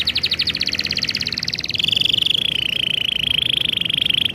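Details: Canary rolling a long, fast pulsed trill, played to get young canaries singing; the roll starts wavering and higher, then settles into a steady lower rattle.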